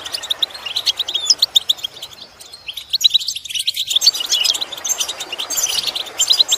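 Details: European goldfinch song played as a training recording: dense stream of fast tinkling, twittering high notes with a brief lull midway, then continuous chatter resumes.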